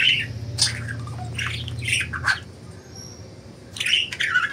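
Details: Free-flying pet budgies give harsh squawky chirps in clusters, then a short quiet gap, then another burst, over a low hum.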